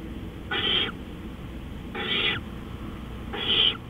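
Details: Owl at night, 3:15 AM on 20 April 2013: three harsh, hissing screeches, each about a third of a second, spaced roughly one and a half seconds apart over a steady low background hum.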